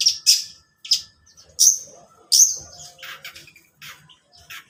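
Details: Morning song of a long-tailed shrike: sharp high chirps repeated about every three-quarters of a second, each with a brief whistled tail, turning into softer scratchy chatter and faint notes in the second half.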